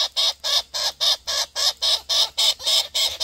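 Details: A young wild Australian king parrot, visiting a feeding spot every morning, begs its parents to feed it with loud, harsh, grating squawks repeated about three times a second, steady and insistent.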